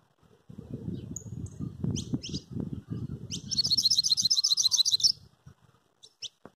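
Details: Saffron finch held in a person's hand, singing: after rustling and handling noise and a few sharp chips, a fast high trill of rapidly repeated notes lasting nearly two seconds, then more soft chips.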